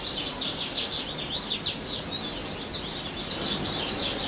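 House buntings give a steady stream of high, thin chirps and twitters, several birds overlapping throughout, over a low background rumble.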